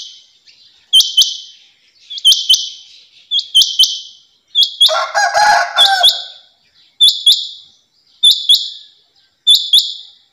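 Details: Female rain quail gives sharp, high, metallic double notes about every second, broken midway by a brief harsher, lower burst of sound.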